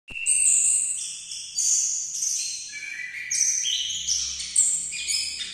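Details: Orange-headed thrush, likely caged, singing a varied song of clear whistled notes held at steady pitches and stepping between high and middle registers, with short gaps and a faint low hum beneath.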